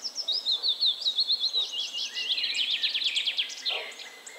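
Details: High, bright willow warbler phrase of rapidly repeated notes that gradually drift lower, over a faint slurred whistle from another bird.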